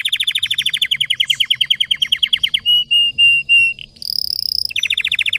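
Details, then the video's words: Red Belgian canary sings hard with a deep throat, for training: a rapid trill slowing into separate notes, three long sustained whistles, a high thin trill, then rapid trilling resumes. "Canário belga vermelho canta muito gargata profunda e intensa para treinar"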